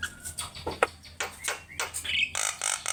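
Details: Javan myna (jalak kebo) in full chattering song, used as a master recording for teaching birds to sing: a series of harsh, broadband squawks and rasps, then short high whistled notes at the end.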